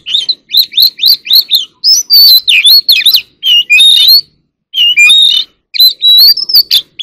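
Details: Oriental magpie-robin in competitive song, an ornamental cage bird: quick repeated rising chirps at the start, then loud varied whistles, slurred glides and scratchy notes in a rich, continuous stream.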